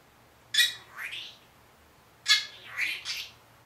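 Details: One-year-old pet Senegal parrot speaking learned words indoors; two bursts about two seconds apart, each a harsh clipped onset followed by warbling, speech-like syllables.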